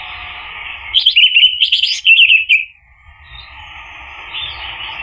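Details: Orange-headed thrush, or anis merah, singing to spur a male into song: a burst of quick, rich warbled notes lasting about two seconds, then quiet hiss.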